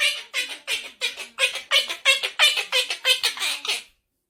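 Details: Lago, a pet monk (Quaker) parakeet, chatters in a rapid string of harsh, squawky, speech-like syllables such as "what are you doing", a playful chatter he gives when sleepy, relaxed or in the mood for fun.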